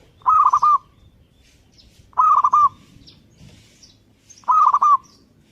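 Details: Actively singing zebra dove: three phrases of gentle, stuttered coos, four or five notes each, delivered every two seconds or so, with a faint high chirp of another bird between them.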